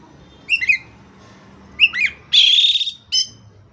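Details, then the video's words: Oriental magpie-robin song, offered as training material to restart stalled, stressed magpie-robins: two short whistled chirps, then a harsh buzzy trill lasting about half a second and a final sharp note, over a low steady background hum. "KACER MACET TOTAL pasti akan PULIH dan NYAUT dengan dimasteri kacer ini"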